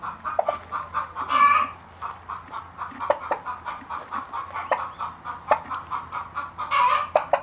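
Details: Ten-day-old turkey chicks peep almost continuously, a busy run of short chirps with a few longer trilled bursts, over a low humming background.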